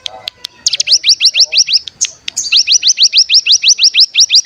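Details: Bar-winged prinia, a lure recording used to trigger other birds to sing: rapid series of sharp rising whistled notes repeated about three times per second, with brief chatter at the start.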